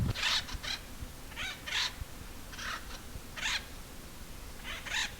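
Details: Acorn woodpeckers on the Mogollon Rim along the Arizona Trail in 2025 give harsh, raucous calls in short bursts, often doubled, about every second, over a low rumble of wind.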